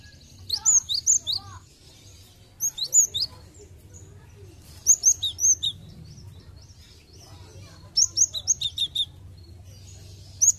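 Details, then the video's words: A Cinereous tit sings bright, high, sharp phrases of four or five quick notes, repeated every few seconds over a faint low hum. "Pancingan Gelatik Batu bahan Agar cepat gacor"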